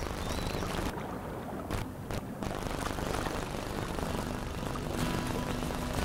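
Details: A steady low engine drone, like a propeller aircraft or vehicle, with no animal calls.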